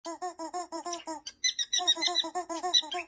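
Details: Pet cockatiel, a talking parrot, giving rapid runs of short harmonic notes in quick even pulses, breaking into a brief jumble of higher squawky notes before the steady pulsed run resumes.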